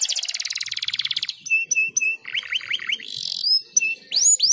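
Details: Canary singing a unique cengkok master song for young canaries to learn: a fast buzzing trill, short sharp notes, a burst of rising chirps and closing upward-swooping whistles.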